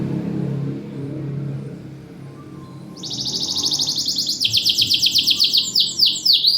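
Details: Canary used as a singing lure for silent canaries, with a loud voice: after about three seconds of low background hum, a sudden high buzzy trill that turns into fast, repeated, falling whistled notes.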